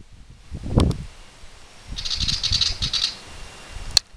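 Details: Young willie wagtails in a lemon tree, just out of the nest for the first time: a harsh, buzzy rasping burst lasting about a second, with rustling and handling thumps before and a sharp click after.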